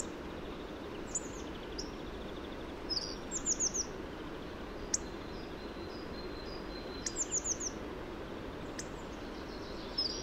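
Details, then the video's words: Hawfinch delivering faint, very high, sharp ticking notes and short rapid clusters of three or four thin descending chips, spaced irregularly over a steady background hiss of outdoor noise. "O canto do Bico-grossudo"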